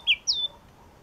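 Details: A single ringing phrase from a yellow-cheeked tit: one sharp high whistle falling, then a longer slurred note settling onto a steady pitch, in near silence.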